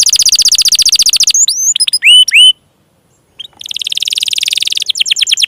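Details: Canary song used to encourage stuck, lazy and young canaries to sing: a dense buzzy roll, a few swept notes, about a second of silence, then another rolling trill.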